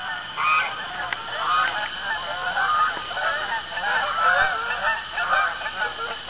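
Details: Evening honking of geese gathering on an Arkansas pond at sundown, early October; overlapping nasal honks follow one another in quick succession, several birds calling together.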